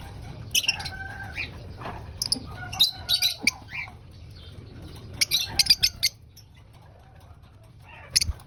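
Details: Lovebird calls during breakfast feeding: short shrill chirps and squeaky notes in irregular bursts, a few rapid clusters, with quieter gaps and low background hum.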